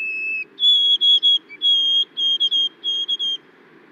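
White-throated Sparrow song: pure, sweet whistles, a lower held note stepping up to a steady higher one, then slow triplets repeated at the end.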